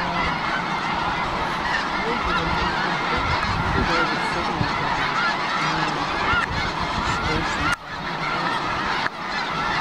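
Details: A huge gathering of snow geese in Washington's Skagit Valley: constant massed honking and yelping, a roaring wall of overlapping calls, with a couple of brief knocks near the end.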